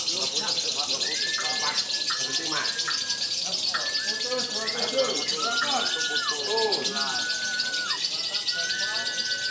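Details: Lovebird at a singing competition in Yogyakarta, Indonesia, a newcomer on its first appearance at this contest: a dense, continuous high chattering trill runs throughout, under long flat whistles and sliding whistled notes, with crowd voices around.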